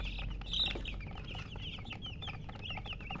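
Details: Baby chicks cheeping, a louder shrill peep early on followed by a steady stream of short downward-sliding chirps, low background hum throughout.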